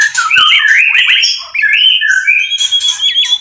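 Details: White-rumped shama mating song from a cage, meant to bring birds into breeding condition: loud rich warbled whistles, swooping slurs and trills, with a steady high thin whistle toward the end.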